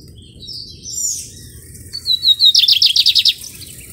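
A lined seedeater sings high, thin whistled notes, then a quick, even run of about eight bright, sharp notes. A faint low background hum is also heard.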